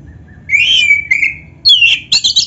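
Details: Short excerpt of black-breasted magpie-robin song packed with canary phrases, for tutoring and luring other birds: a long clear rising-falling whistle, a lower slurred note, then a sharp high whistle and a few quick chips.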